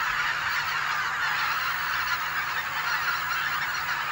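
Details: Several thousand greater white-fronted geese arriving at Kabukuri-numa marsh, Japan, on October 3, 2011, calling at once: a steady, dense roar of overlapping yelping honks with no single voice standing out.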